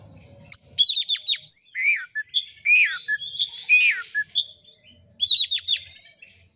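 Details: Oriental magpie-robin song used as a lure to set other magpie-robins singing: a rich, varied run of sharp clicks, whistled slurs and chattering notes, pausing briefly before a fresh burst of clicking phrases.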